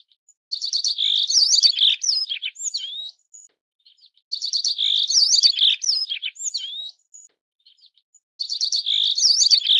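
A Yellow-browed Bunting gives high, thin phrases of quick buzzy notes and sharp whistles, each about two seconds long and repeated every four seconds, in a quiet setting.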